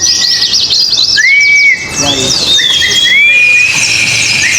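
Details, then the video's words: Oriental white-eyes in a singing contest deliver high, tinkling chatter and arching whistled phrases, roughly one every second. A brief quieter gap falls midway, amid many overlapping birds. "pleci ABIRAWA dan R7 adu mekanik di gantangan"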